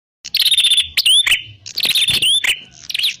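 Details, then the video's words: Prinia call played as a lure for trapping birds: a steady high buzzy trill broken by rising whistled sweeps, repeated twice, with a soft low hum underneath. "Suwara Burung Prenjak_klawu Buwat_Mikat"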